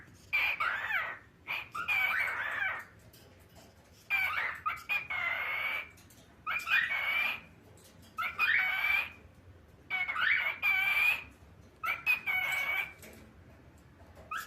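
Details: A talking cockatiel chatters in bursts of scratchy, speech-like mimicry, each phrase lasting about a second.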